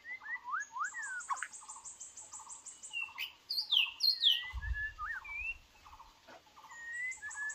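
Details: Captive white-rumped shama used as a decoy for trapping, judged weak by its owner, singing varied rising and falling whistled phrases over steady repeated chattering and a brief low thump.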